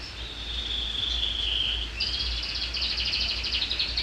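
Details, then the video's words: Canary with neck feathers still bare, singing shrilly: a long piercing sustained whistle slowly falling, then a fast rattling trill of high notes, under steady background hiss. "Kenari suara melengking"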